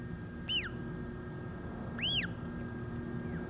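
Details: Newly hatched Humboldt penguin chick, emerged early Monday morning into a zoo colony in Oregon and cared for by its parents; two thin, clear peeps arching up then down, about one and a half seconds apart, over a steady low hum.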